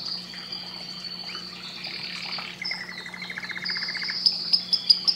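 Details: Canary singing for breeding stimulation: long sustained high whistles, a fast even rattling trill in the middle, then evenly spaced loud sharp chips at the end, backed by a low constant hum.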